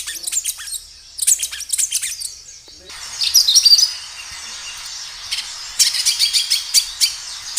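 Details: Kinoi singing loudly, natural sound used as a lure to prompt other kinoi to answer: rapid, uneven runs of high, thin chirps and twitters in several bursts, with a short stretch of hissy background noise in the middle.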